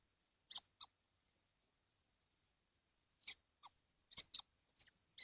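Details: All seven kestrels in a nest box during hot weather, 12 June 2025; short scratchy high calls in pairs, a pause of over two seconds, then a quicker irregular burst of six.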